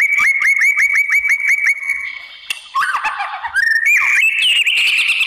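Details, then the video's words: White-rumped shama singing to goad other shamas into replying: a fast run of about ten repeated bright whistled notes, then a jumble of lower warbles, rising slurs and dense high phrases. "MURAI BATU APAPUN Jadi NYAUT NGELAWAN dan BONGKAR ISIAN ¦ PANCINGAN MURAI"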